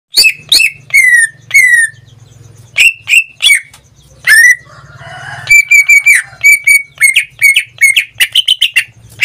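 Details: Caged pet greater green leafbird in full, frequent song, giving loud harmonic whistles that slide downward, then a fast run of short bright notes, over a steady low hum.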